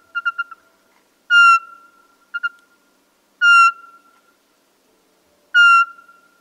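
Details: Eurasian pygmy owl, a small species of northern and central Europe. Mellow whistled notes repeat about every two seconds. Each is led by a quick stutter of two or three softer notes. The background is silent.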